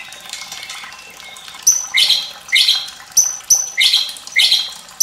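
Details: White-rumped shama fierce-voiced song for training young birds, with running water to spur singing: after a quiet start, loud paired phrases, a high flat whistle followed by a rich lower downslurred note, repeated about four times.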